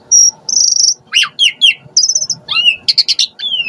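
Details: Asian pied starling on a lure recording for stirring starlings to answer: clear high whistle, a buzzy trill, falling slurred notes, clicking bursts and a closing descending whistle.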